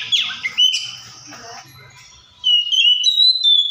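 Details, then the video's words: Oriental magpie-robin: harsh scratchy notes open the phrase, a lull follows, then a steady series of clear, slightly rising whistles. "COPSYCHUS SAULARIS SOUNDS LIKE THE WILD MAKES OTHER BIRDS SOUND"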